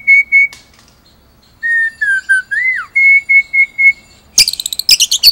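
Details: White-rumped shama whistling clear, steady pure notes in short sequences, with one swooping slide downward, ending in a burst of rapid high sharp notes.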